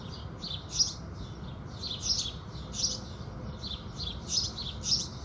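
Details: House sparrows greeting the rising sun with repeated high, sharp chirps in uneven clusters, some doubled, spaced under a second apart, over a constant soft low rumble.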